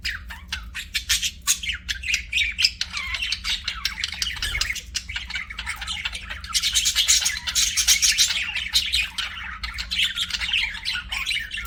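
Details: Group of pet budgies keeps up a long, rapid stream of ticking chirps and rasping warbles that swells louder in the second half, a low hum underneath.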